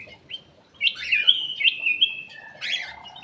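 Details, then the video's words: Aviary bulbul singing as a lure: a quick rich warble of bright whistled notes, then a harsher burst near the end. "PANCINGAN CUCAK EMAS \ KUTILANG EMAS"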